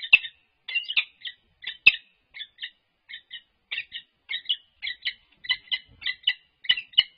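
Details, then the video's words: Peregrine falcons resident at UC Berkeley, courtship display: paired, raspy chip notes delivered at an uneven pace, some louder clipped bursts, a clean background without other sounds. "Annie and Grinnell Courtship Display"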